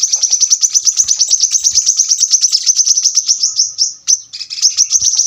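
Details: A brown-throated sunbird delivers a tembakan rapat burst, a tight, piercing stream of very high clipped notes racing along without pause for about four seconds, then a short dip and a fresh burst. The background is quiet.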